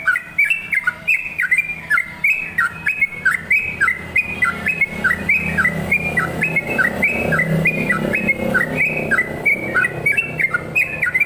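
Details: Energetic sooty-headed bulbul singing continuously for eleven seconds, a chattering chain of short liquid whistled notes bouncing up and down, over a noticeable low rumbling background.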